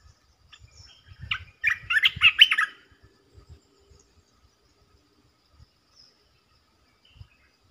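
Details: A red-eyed bulbul holding its territory calls with a single burst of rapid, chattering, bubbly notes lasting about a second and a half. Faint low taps follow in near quiet.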